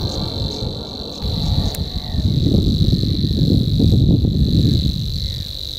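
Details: Savi's warbler singing at Groene Jonker, the Netherlands, 30 April 2017, just finishing a song bout: a fast, steady, insect-like reeling buzz without a break, over heavy low rumbling wind noise.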